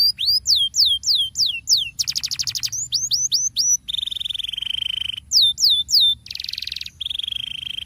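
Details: Canary rolling song (ngerol) used as a lure to get quiet canaries singing: bright repeated downslurred whistles alternating with rapid buzzy trills and long steady high rolled tones, varied phrases one after another.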